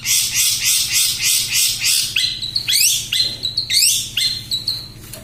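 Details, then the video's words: Long-tailed shrike singing in a lively competition style: a fast run of harsh raspy notes, then varied whistled and chattering phrases with sharp upslurred notes, over a low constant hum. "BURUNG CENDET MATERI TERBARU,SUPER GACOR+SPEED RAPET"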